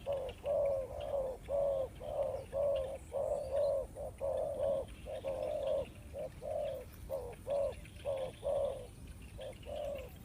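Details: A Spotted dove kept for trapping coos steadily: a long, fairly even series of rounded, hooting notes about two per second that thin into shorter, spaced coos toward the end.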